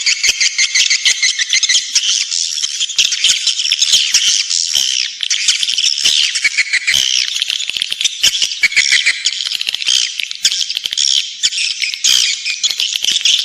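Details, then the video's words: Long stretch of swiftlet lure sound for drawing birds to nest: unbroken high twittering chatter with crackly clicks and occasional louder squeaky bursts. "Suara panggil walet menggemma"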